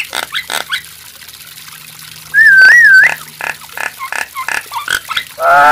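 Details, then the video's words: Nias hill myna delivering scattered short, nasal notes. A loud, clear whistle wavers up and down for nearly a second in the middle. More clipped notes follow, then a harsh squawk at the end. "TERAPI BURUNG JALAK NIAS"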